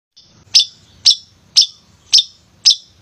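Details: Male long-tailed shrike singing actively, used as a lure to provoke lazy shrikes into song: five sharp, high chirped notes about every half second, with a faint low murmur beneath.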